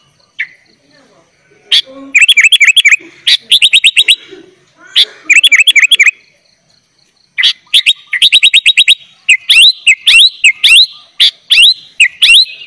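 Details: Sooty-headed bulbul in full-fill 'gacor' singing, meant for tutoring young bulbuls: rapid runs of buzzy, stuttering trills in repeated bursts, followed by a string of clear, looping whistled phrases delivered in quick succession.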